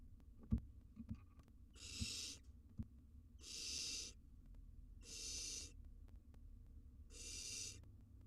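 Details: Wild barn owl nestlings in a monitored nest box, grooming each other: harsh, breathy hissing bursts about half a second long, four within eight seconds, with soft low thumps and a rumbling background.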